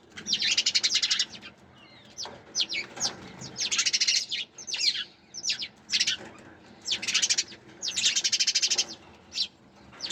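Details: Sparrows chirping in rapid bursts of high, dense chips, several loud trilled runs separated by short pauses, with brief single notes between and a faint low background hum.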